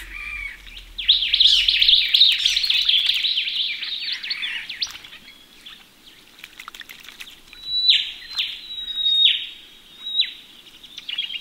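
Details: At a bathing pond in Australia, ring-necked parrots give a dense run of shrill chattering notes, then separate swooping downslurred whistles a second apart, amid water splashes.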